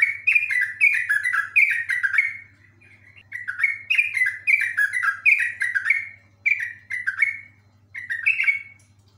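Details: Yellow-vented bulbul (Pycnonotus goiavier) in full song sings long runs of bubbly, rolling notes in rapid bursts, each phrase dropping slightly, with short pauses between runs over a steady low hum.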